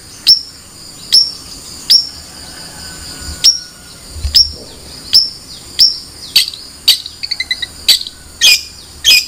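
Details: Long-tailed shrike with spaced sharp high chirps, then a rapid stuttering burst of clicky notes and squeaky phrases near the end; faint low hum behind.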